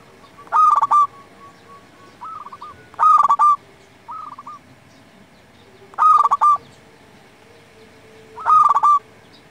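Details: A local zebra dove singing actively, used as a lure and master tutor: four loud staccato cooing phrases about three seconds apart, answered by short, softer coos from another dove.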